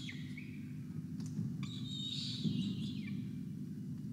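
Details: At a university nest camera on 5 November 2021, a peregrine falcon chick is fed after 24 hours and an injured adult is also hungry; short harsh notes, then one long, wavering wail, with a steady low hum.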